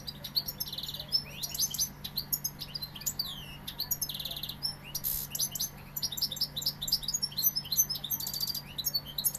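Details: European goldfinch, Sevillian, pouring out lively song of sharp high chirps, short buzzy trills and fluid twittered phrases in a near-continuous stream, with a low background hum.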